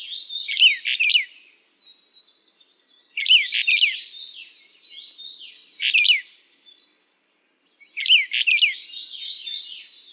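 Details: A Brown bullfinch of the subspecies uchidae calls in three separate bouts. Each bout is a tumbling series of short, bending chirps followed by fainter trailing notes, with the bouts spaced a few seconds apart.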